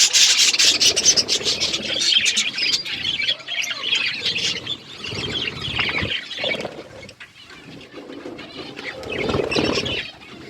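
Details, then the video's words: A group of budgerigars eating food, loud twittering chatter at first that thins to scattered chirps, with soft rustles and fluttering sounds between. "Beautiful budgies parakeet eating food birds chirping sounds"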